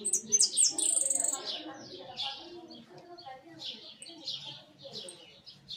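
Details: Hooded siskin singing in a large cage: rapid high, thin chirps and twittering notes, with bright trilled bursts near the start and scattered sharp notes after, over a low murmur of background sound.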